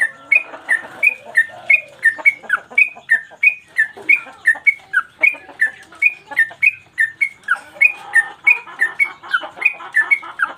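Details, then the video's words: Yellow-vented bulbul singing one phrase over and over for training cage birds: steady run of whistled high-low note pairs, about three per second, above a faint murmur of chatter. "Trucukan gacor mbandul satu lagu main ekor dan Garuda cocok buat masteran"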